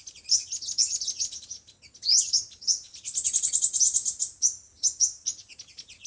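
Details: Song of five-colour and seven-colour sunbirds, meant to be played on a speaker to catch birds: jumbled high twitters, then a quick rising sweep and a rapid even trill of thin notes before scattered chirps.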